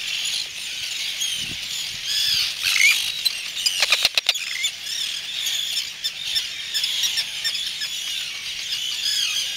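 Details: Arctic terns at the chicks, one adult coming back to brood and guard its young; shrill overlapping cries and squeals form a constant high chorus, broken near the middle by a burst of sharp knocks and clicks.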